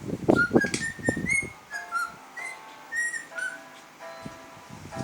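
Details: Pet cockatiels having fun with an electric fan: low fluttering bursts open the recording, then repeated short whistled chirps, several rising, alternate with brief pauses, and a steadier harmonic tone and more fluttering close it.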